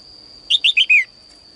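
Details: Female bird singing in a cage in the morning, calling males to sing more: one quick phrase of four short, bright chirps, each sliding downward, the last one longer, over a steady high electrical whine.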